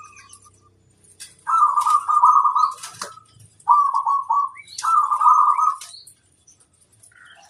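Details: Local zebra dove singing to provoke and challenge rivals: three rolling, purring coo phrases, each about a second long and separated by short pauses, with thin high chirps from other birds behind.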